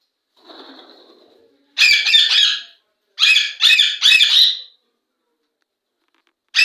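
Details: Indian ringneck parakeet from Pakistan: a faint rustle or soft murmur first, then bursts of loud harsh rasping squawks in quick clusters of two to three, closing with a sudden squawk cut off at the end.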